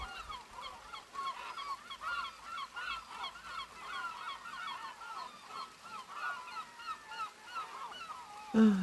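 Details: A crowd of gulls calls nonstop early in the morning, harsh nasal mewing and yelping cries overlapping through heavy, steady rain before sunrise, ending with a sudden close knock.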